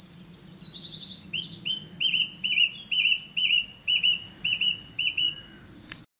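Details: Song thrush singing in the Avenue at WWT Caerlaverock: high descending notes open, then a clear short phrase of looping whistled notes repeated about eight times, roughly twice per second, over a low background hum.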